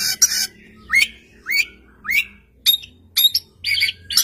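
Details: An Oriental magpie-robin in full song, said to make other magpie-robins answer at once, sings sharp upslurred whistles, roughly two per second, broken by harsh scratchy bursts at the start and end of the phrase.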